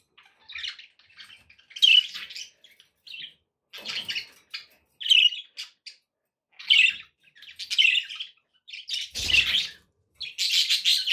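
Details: Pet budgies chattering to keep a parrot company and encourage it to eat and sing: a string of short scratchy chirps and twittered phrases, growing denser and louder at the end.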